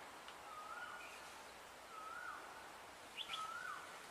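An Indian grey hornbill gives three thin, squealing whistles that slur upward then dip, about one every one and a half seconds, over steady hiss and brief high chirps.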